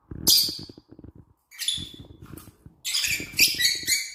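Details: Lovebirds in an aviary produce sharp, high, screechy chirps in quick bursts, ending in a dense run of harsh chatter, with faint low tapping noises underneath.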